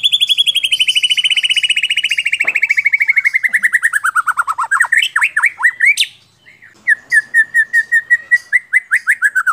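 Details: Caged white-rumped shama, training song for other songbirds, from Central Java, Indonesia: a long rapid trill of pulsed whistles slowly falling in pitch, then twisting slurred notes, a pause, and another steady pulsed series.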